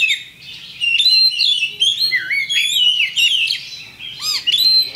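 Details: Oriental magpie-robin, a champion singer, giving a fight-provoking lure song: after a quiet start, varied high whistles, rising slurs and rapid trilled notes, with one low slurred whistle near the end.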